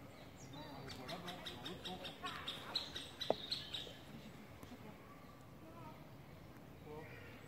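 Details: Middle spotted woodpecker chick fallen from the nest, trying to climb back up a nearby tree in Parc de la Poudrerie on 22 May 2019; sharp high chipping notes repeated rapidly, almost twice a second, in an uneven burst, then fading.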